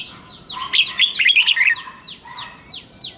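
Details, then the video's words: Morning song of a caged red-whiskered bulbul, double-note 'già rừng' style used for training: one dense, jumbled burst of bright warbling notes, then soft falling whistles trailing off. "Luyện giọng cho chào mào hót sáng, ép chào mào hót âm kép già rừng hay tuyệt!"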